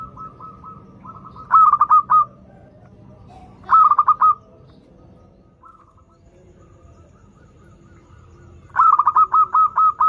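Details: Local zebra dove in full voice, used as a lure for doves learning to sing: three bursts of rapid, low, staccato cooing notes running into a trill, with long quiet gaps and faint softer cooing between.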